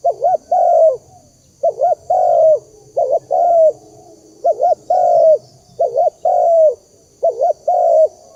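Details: Spotted dove cooing, used to lure doves for trapping: repeated phrases of a quick double wavering coo and a long mellow coo, given roughly every second, over a low steady hum.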